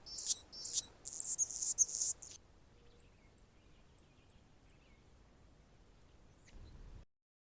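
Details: Anna's hummingbird perched on a branch in Golden Gate Park, San Francisco, California, gives about two seconds of high, raspy, buzzing bursts, then the sound drops to quiet background with faint distant chirps.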